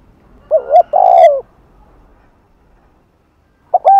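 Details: Spotted dove, 'Hạp Bổi' thúc and gù voice, afternoon, attracting other doves: a single phrase of a short two-part note and a long hoarse coo, silence, then the next phrase starting.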